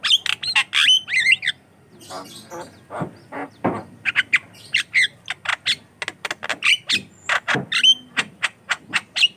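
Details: Javan myna, jalak kebo, giving gacor song to serve as a lure for other mynas: squeaky whistles and harsh chatters, a short pause, then a long run of sharp clicking chacks and whistled squeals.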